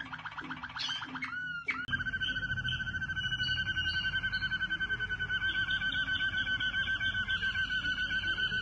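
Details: Waterslager canary giving a few quick whistled notes, then a long sustained rolling trill held at an even pitch and pulsing steadily for several seconds, over a low background rumble.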